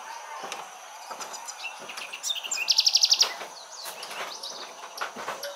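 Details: An amorous pair of spectacled parrotlets at Laguna de Sonso near Cali, Colombia, in July: a brief burst of rapid, high, buzzy chattering notes repeated in quick succession, amid clicks and other background birds.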